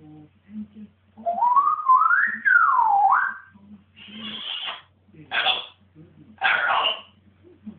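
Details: Pet African grey parrot acting wild indoors: a wavering whistle that climbs and dips, followed by three harsh, raspy squawks spaced about a second apart in a quiet room.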